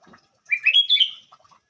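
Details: Sooty-headed bulbul giving one brief phrase of slurred, bubbly notes that rises into a clear, steady whistle and then falls away. A few soft, lower chirps follow, and the background is otherwise quiet.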